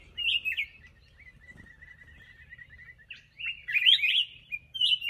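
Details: A black-crested bulbul gives loud, rich warbled phrases at the start and end, linked by a long thin run of rapid, softer twittering notes, in an otherwise quiet setting.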